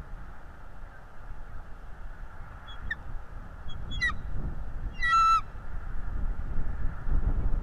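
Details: Bald eagle on a live nest cam, chasing off an intruding eagle: a few scattered, brief, high chips, then one louder burst of chattering whistles, amid rumbling wind.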